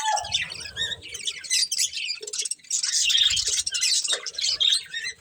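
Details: Breeding pair of budgerigars chirping while eating, a steady jumble of high, squeaky and scratchy notes with soft low thuds of pecking scattered throughout.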